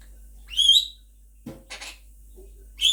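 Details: A pet Quaker parrot, or monk parakeet, singing with its owner indoors gives clear high whistled notes with a slight rise, a soft low thud and a short buzzy burst, then another whistle.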